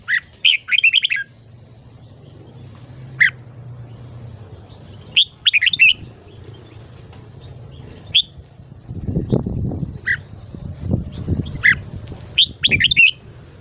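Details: Red-whiskered bulbul in morning song, used for voice training: short bursts of quick warbled notes and single sharp calls spread through the clip, with a low hum and a stretch of rumbling noise near the end.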